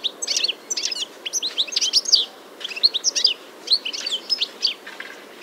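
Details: European goldfinch singing in early spring, 21 March 2023, in Biryulyovsky forest park, Moscow, recorded with a parabolic microphone: a lively, tinkling stream of quick, liquid twitters and trills in short bursts, with a low background hum.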